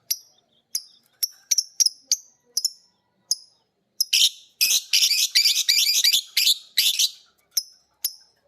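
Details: Two caged lovebirds, a violet green and a pied, learning ngekek from each other while their master bird sounds: sharp high chirps at irregular intervals, then a run of loud harsh buzzy chattering bursts, then more chirps.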